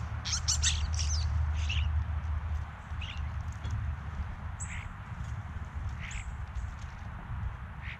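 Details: European starlings gathered at a backyard bird feeder, caught on a GoPro: a burst of scratchy chattering at first, then thin high whistles and scattered short rasping notes over continuous low background rumble.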